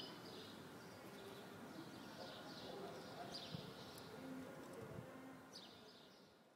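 A goldfinch mule sings quick, high, twittering phrases over steady background noise.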